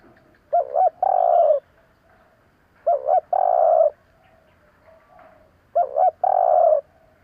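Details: Spotted dove call used to stir decoy birds: three coo phrases about every 2.5 seconds, each two quick low hooting notes followed by a longer, steady, slightly falling coo; quiet surroundings.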